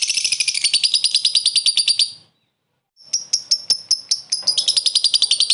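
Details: Lovebird calling a rival with short ngekek laughing bursts used for luring: rapid dry chattering trills of high clicks, two bursts separated by a brief pause, the second ending in sharper chirps.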